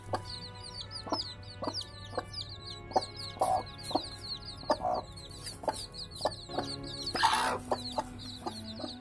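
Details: Chicks just hatched, pecking rice beside their hen: busy high-pitched peeps, evenly spaced soft clucks, a brief noisy rustle near the end, and music playing underneath.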